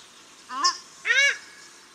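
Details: A male and a female paradise shelduck call in Auckland's Cornwall Park, New Zealand: two honks in quick succession, a thinner nasal note followed by a fuller, broader and harsher honk.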